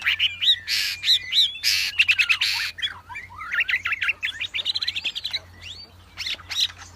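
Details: Wambi song with harsh, noisy bursts alternating with quick twittering and whistled rising notes, growing into a rapid chattering sequence before fading.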